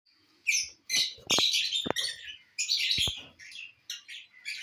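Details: Lovebirds enjoying corn on the cob, giving bursts of shrill, buzzy chattering squeaks in short clusters separated by brief pauses, with a few faint clicks and taps.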